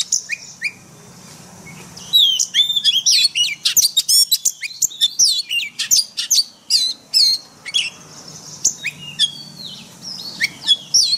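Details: Forest-style song of a white-rumped shama used to train caged birds: two soft opening whistles, then a long rich stream of rapid, varied high whistles, chips and slurs.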